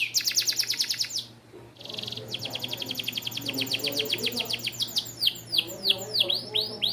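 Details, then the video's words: Small standard AF canary of bon colour, kept as a song tutor for young canaries, delivering rapid high trills: fast rattling note series, a brief pause, then quick repeated chips building into looping swept notes, over a faint steady low hum. "BURUNG KENARI AF STANDAR KECIL WARNA BON COCOK UNTUK MASTERAN KENARI MUDA"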